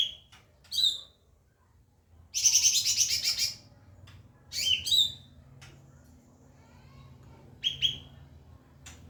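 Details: White-rumped shama singing as a model for other birds, with scattered sweeping whistles, a harsh buzzy rattling burst mid-phrase, and a quick pair of upslurred notes near the end, over low hum.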